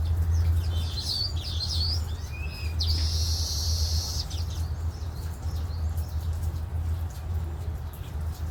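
Baya Weaver giving quick high chirps, then a sustained wheezy buzz lasting about a second, over a steady low rumble of wind or distant noise.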